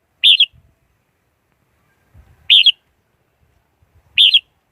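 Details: Red-whiskered Bulbul decoy song meant to draw wild birds into traps: three brief, lilting phrases about two seconds apart over soft low thuds.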